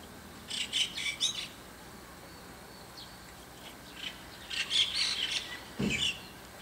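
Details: Several white-cheeked starlings clamour early in the morning above a neighbour's window: harsh, buzzy, high chattering bursts in two rough groups, each a rapid run of scratchy notes, with a quiet pause between them.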